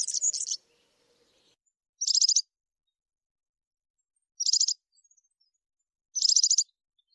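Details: Male Atlantic canary giving short, high, rapidly pulsed trill bursts, each about half a second long and repeated roughly every two seconds with silence between them.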